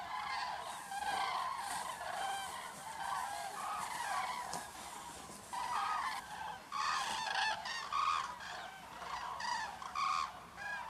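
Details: Common cranes (Grus grus) at Negast, Germany, at sunset, flying toward the Bodden for the night: loud, rolling, overlapping trumpeting calls from several birds, the bugling rising and falling in waves.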